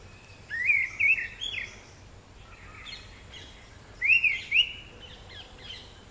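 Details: Orange-headed thrush giving two separated whistled phrases, each a quick run of three slurred, rolling notes with thin high accents above, about three seconds apart, softer fragments between and a quiet natural background.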